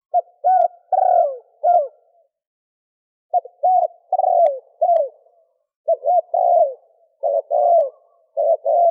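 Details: Male spotted dove calling to attract females: soft low hollow coos in short two- and three-note phrases, each note dipping at the end, with a pause of about a second mid-clip, then quicker bursts; no other sounds.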